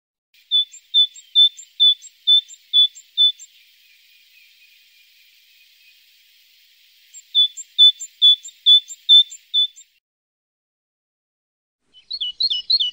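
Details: Great tit (Parus major) in varying postures with different songs, repeating a single pure whistled note about twice a second in runs of six or seven. After a pause the runs resume, and a quicker, varied warbling phrase starts near the end.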